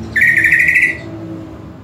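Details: Greater green leafbird singing for tutoring a kept bird: a single loud rapid chattering warble of under a second, then quiet with low hum.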